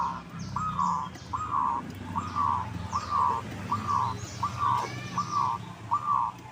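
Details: Zebra dove lure sound to prompt other birds to answer: eight even, slightly buzzy coo notes repeated roughly every eight-tenths of a second over steady low rumble and scattered high chirps.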